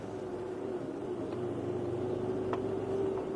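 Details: Vehicle engine drones with a steady mid-pitched tone and a low rumble, with no animal sounds.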